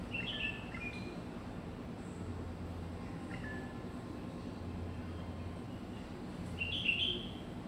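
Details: Chinese bulbul in a longan tree in Taipei, Taiwan, giving brief, bright chirping phrases at the start and again near the end, over a steady low rumble of distant traffic.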